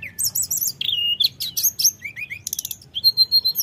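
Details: Common iora singing in fluting, rolling style, played as a lure to anger rivals: rapid high chirps, a downslurred whistle, short rising whistled notes and a closing run of even, repeated whistles.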